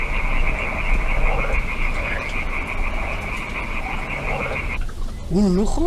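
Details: Eurasian bittern (Botaurus stellaris) booming call played as an example during a live broadcast from the Urdaibai marsh, Spain: deep, hollow booming throbs under a steady high-pitched whine, a man's voice cutting in at the end.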